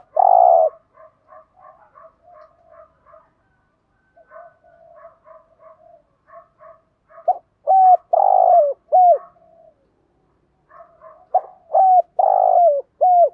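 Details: Spotted dove lure recording for attracting wild doves, mixing calling, 'thúc' and 'gù' styles: runs of soft paired cooing notes about twice a second, broken by loud, deep, drawn-out coos with down-curling ends, clean background.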